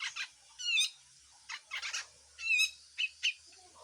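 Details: Grey-cheeked bulbul delivering harsh full song: scratchy, rasping bursts mixed with sharp rising squeaks, spaced irregularly over a steady background hiss.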